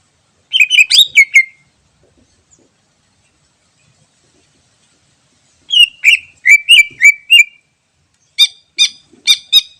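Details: Greater green leafbird in the wild, used to lure birds: a rapid burst of slurred whistles, a long pause, then a phrase of falling whistles followed by four evenly spaced sharp harmonic notes.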